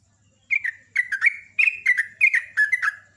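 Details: Loud, fast 'ropel' song of a sooty-headed bulbul: rapid pairs of chirpy, liquid notes that drop in pitch, strung together in close succession over quiet background.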